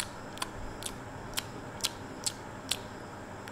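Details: Sharp, dry clicks sound about every half second over a soft indoor hiss, with no animal voice.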